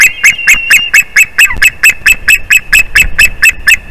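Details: Close, loud yelps from a male white-tailed eagle hopping into the nest, sharp high notes repeated rapidly and evenly, given as his mate returns on 8 April 2021 around mid-afternoon.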